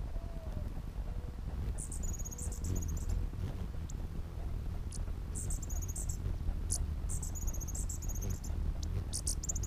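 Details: Territorial hummingbirds: bursts of very high, thin, squeaky chips in rapid chattering runs, several separate outbursts, over a steady low rumble.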